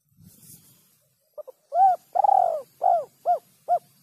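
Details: A spotted dove calling in the 'kuk 3' style: a faint low rustle, then two tiny notes and a run of mellow coos, one long and wavering, ending in shorter evenly spaced hoots.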